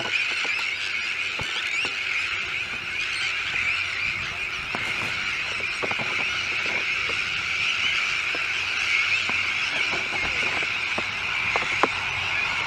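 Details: Crowded Sandwich tern breeding colony on a new shell island at De Putten, Netherlands, where chicks run back and forth together. Many harsh, rasping calls overlap into an unbroken, noisy chorus, with occasional louder clicks and sharper cries.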